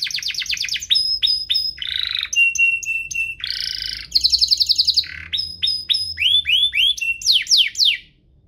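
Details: Canary song used as a lure to get canaries singing, a 'duo gacor' master for young birds: varied rapid phrases of repeated downslurred notes, buzzy rolls and steady whistled tones, switching every second or so.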